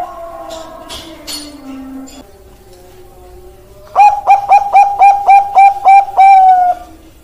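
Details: Bangkok-type zebra dove (perkutut): after several seconds of soft gliding tones and faint background sounds, a rapid burst of about nine bright coos ends on a long ringing note.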